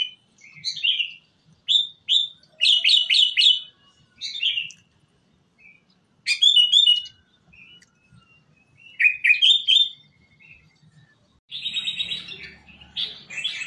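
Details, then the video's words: Kutilang emas, a ruby-throated bulbul, heard on a song-training recording for caged birds. It gives separate bursts of bright, buzzy, warbled notes split by short pauses, with richer chattering phrases near the end. "Masteran Kutilang Emas Mudah Gacor"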